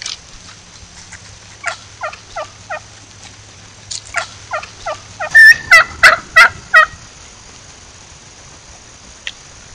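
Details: Wild turkey hen at a cabin giving a yelp "kee kee" call for a lost hen: raspy, evenly spaced yelps building to a louder, harsher run of notes before falling quiet.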